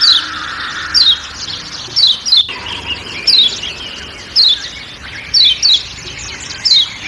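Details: Kecial kuning, Lombok white-eye, repeating its 'ciak ciak' call with forest sounds: shrill descending chirps about every second, one sharp click near the start, steady low hum beneath.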